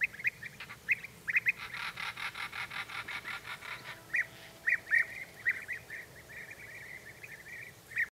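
European bee-eaters give short, rolling, liquid calls, repeated irregularly about every half second, with a rapid pulsing chatter of overlapping calls early on.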